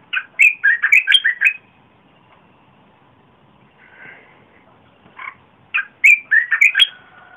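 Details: Red-whiskered bulbul song, played to attract wild birds and for young birds to copy: two loud phrases of quick, bouncing whistled notes at the start and end, with a faint soft call between.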